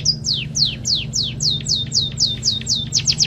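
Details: Munia singing canary-learned song material: a rapid series of about a dozen sharp, high whistles, each sliding steeply downward, repeated roughly four times per second and quickening at the end, over a steady low hum.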